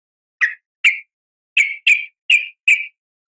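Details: Six brisk, clipped chirps from a female yellow-vented bulbul calling the male, spaced irregularly, some in close pairs, over complete quiet.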